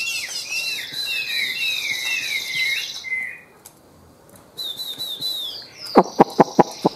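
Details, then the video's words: Caged Chinese hwamei of the Tam Hoàng form singing a fluid series of slurred whistles for about three seconds, falls silent, resumes with a short high phrase, then a run of sharp regular taps follows. "Họa Mi Tam Hoàng - Hót Cao Cầu, Dáng Dấp Quá Đẹp - Hót Hay Treo Ra Là Bắn"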